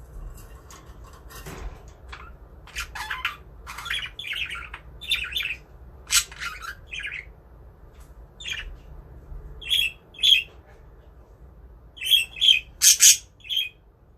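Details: Pet budgerigars enjoying a new budgie village chatter with harsh, high squawks and scratchy chirps in irregular bursts.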